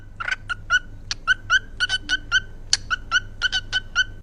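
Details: A pet parrot at home chatters in quick, uneven bursts of clipped, nasal chirps. Some notes rise slightly and are spaced about a quarter second apart, over a steady quiet background hum.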